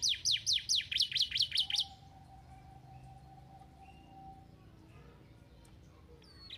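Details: Canary song meant to stimulate lazy canaries to sing: a rapid run of about eight loud descending sweeps repeated quickly, then fading to quiet with a faint steady low hum.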